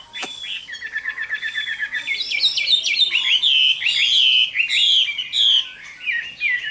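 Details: Chinese hwamei giving a fighting song at summer midday, Vietnam: a loud, varied run of whistled phrases, first a fast warbling trill on one pitch, then rising and falling slurred notes repeated in quick succession.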